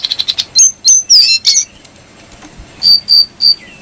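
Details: Brown prinia singing as tutor material for keepers: a quick stutter of buzzy ticks leads into several high, thin whistled notes, then a pause and three more high piping notes with a short lower tail.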